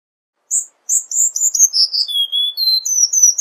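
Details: Song of a Cuban bullfinch: a short pause, then quick high chips running into slurred, descending whistles and a level, drawn-out whistle near the end.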